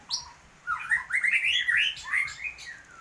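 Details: White-rumped shama singing actively, described as a strange sound: a loud, varied run of quick slurred whistles and warbled phrases rising and falling, packed closely over two seconds after a short high opening note.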